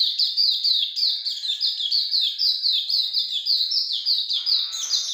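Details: Continuous ngalas longgun song from a Hume's white-eye singing vigorously: dense, very fast, high, thin chirps, each slurring downward, running unbroken throughout with a few sharper notes near the close.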